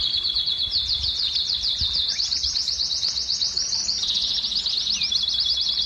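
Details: Canary song played to stimulate females to breed: a long, unbroken, fast trilling roll of high rattling notes, shifting slightly in pitch partway through, over a low steady background hum.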